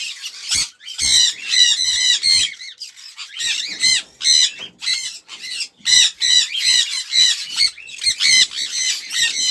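Sun conure giving loud, harsh, high-pitched screeching squawks in rapid, irregular bursts.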